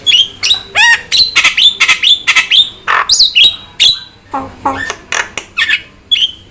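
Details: Prompting and training recording of Javan myna song: quick series of sharp whistled notes and squawks, roughly two per second, with a grating chatter midway.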